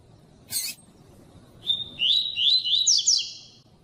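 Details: Female rusty-collared seedeater (Sporophila collaris) call, used to stimulate males: a brief burst of high, thin chips, then quick rising-falling whistled notes strung together over a second and a half.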